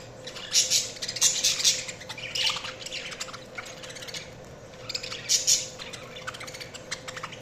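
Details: Budgerigar chirping: harsh, buzzy warbled phrases in several bursts separated by softer chatter, over a constant low hum.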